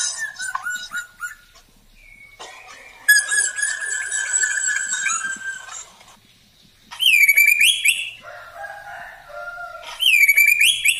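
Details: A black drongo, used as a lure for other birds, sings a lively, varied medley of clear whistles, a long steady whistled note, and harsh buzzy bursts with bright rising whistles, phrases coming in quick bursts.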